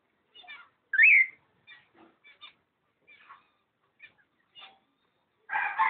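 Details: Pair of cockatiels, recorded 05.06.11: soft scattered chirps around a loud upward-sweeping whistle, ending in a harsh, broad screech burst.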